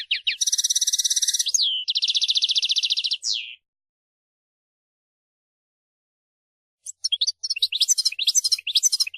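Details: Lively European goldfinch song: two long buzzy rattling trills separated by a quick slide, several seconds of silence, then rapid, varied high twittering phrases resume.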